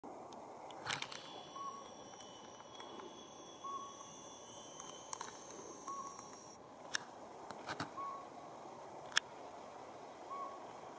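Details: Northern Pygmy-Owl in Auburn, California, on 19 February 2019, giving single soft, hollow toots spaced about two seconds apart, over steady background hiss with a thin high tone and a few clicks.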